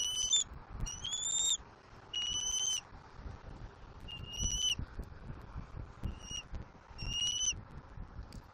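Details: Southwest Florida juvenile bald eagle, 7 April 2024, squeeing while claiming fish from its father on the nest. Several shrill whistled squeals, the first louder, later ones shorter and fainter, amid low background rumble.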